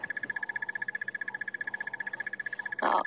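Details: A Crested Barbet of unknown sex at sunrise in Sabi Sand on 30 March 2016 gives a relentless rapid trill, about four notes per second, announcing its presence and keeping contact with its mate; a second bird responds occasionally; brief rustle.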